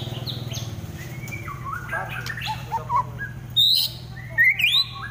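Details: Kept white-rumped shama delivering trotol fighting song. Quiet scattered notes lead into loud, sharp upward-sweeping whistles and short slurred phrases near the end, over a persistent low droning hum.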